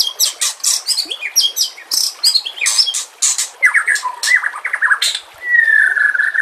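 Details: White-rumped shama song for training contest birds: a loud, varied sequence of sharp chips, buzzy notes and quick slurs, ending in a long, clear, slowly falling whistle.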